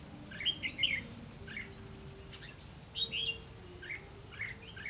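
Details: Red-whiskered bulbul during trapping, 18 September 2016, singing clear, warbled whistles in short clusters about every second or two, loudest near the start and at three seconds, over steady low background noise.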